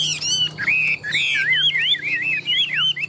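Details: Tame Chinese hwamei of large build, prized in singing contests, pours out continuous wavering whistles that swoop and twist in rolling phrases.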